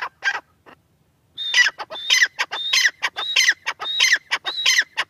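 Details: Francolin calling, a short burst, a pause, then a rapid run of harsh, scratchy notes with clear whistled upper strokes, repeated in a rhythmic chattering sequence.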